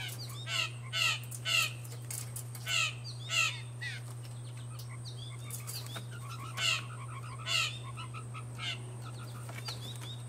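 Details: A blue jay feeding in a yard gives harsh, raspy calls, singly or in quick pairs, over a steady low hum and faint chirps from smaller birds.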